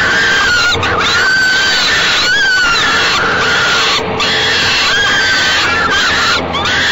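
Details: Falcon babies in a nest box call as the mother feeds them, Great Spirit Bluff, evening of 28 May 2013; harsh wailing notes interrupted roughly every second by short dropouts and swooping pitch changes.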